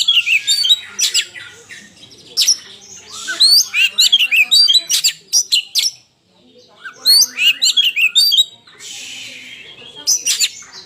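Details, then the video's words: Oriental magpie-robin singing hard during a fight: energetic runs of varied whistles, harsh chatters and sharp high notes, broken by one brief silence before the outburst resumes. "Burung kacer gacor tarung"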